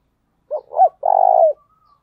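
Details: A single calling phrase from a decoy spotted dove with a thổ đồng voice: a short coo, a rising and falling note, then a drawn-out buzzy tone sliding down at its close, followed by a faint thin whistle.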